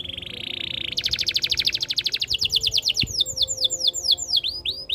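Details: Singing canary opens with a steady high buzzy roll, shifts to quick pulsed trill, then a run of loud descending whistled sweeps repeated about twice per second.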